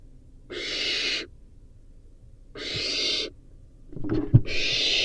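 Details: Barn owl chick at a nest webcam, eating a rodent, repeats rough wheezing hisses about every two seconds, with scratching and tearing noises near the end.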